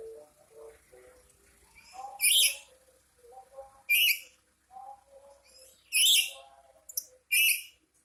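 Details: Black-capped lory kept at home, described as angry, letting out a series of five harsh screeches at irregular intervals, while people talk quietly in the background.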